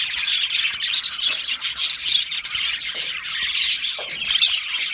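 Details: Singing and chirping of happy Australian budgies in a colony: a lively, unbroken chorus of high warbles, clicks and quick chirps, with loud sharp notes repeated at irregular moments.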